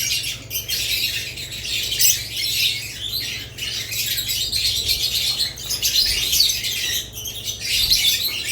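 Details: A crowded mix of budgerigars and lovebirds: continuous high twittering and squeaks, swelling and fading in short waves over about eight seconds.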